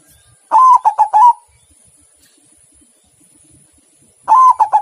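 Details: Cooing song of a white zebra dove: two rolling phrases of short, clipped coos, each opening on a longer note and then stepping down. Long silence between the phrases.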